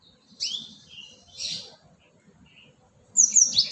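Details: Cinereous tit (gelatik batu) lure recording: a buzzy high chirp, a second hoarse burst a second later, then a quick run of thin, sharp, very high notes at the end, with a faint low hum behind.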